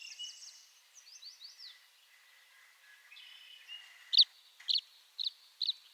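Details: Tree swallow calling: faint high twittering and descending chirps early, then four loud short chirps near the end, spaced about half a second apart.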